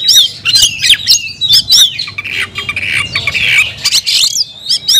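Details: Captive kacer, the oriental magpie-robin, singing hard: bright up-and-down whistled notes and quick chirps separated by harsh scratchy bursts, loud and continuous over faint low background hum.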